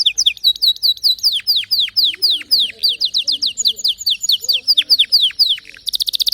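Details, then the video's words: Singing canary giving a long series of sharp, descending whistled sweeps, repeated about three times a second with slight variations, ending in a short, very high rapid rattle. "كناريك سيطلبها بنفسه لا صمت بعد اليوم تغريد روووعة ونوطات مميزة canary"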